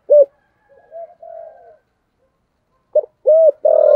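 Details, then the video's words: Spotted dove with the 'thổ' voice used for luring; one loud coo, soft trailing notes, a silence, then a short burst of three rising coos ending in a sustained tone. "cu gáy giọng thổ gáy gọi dùng kích bổi rất hiệu quả"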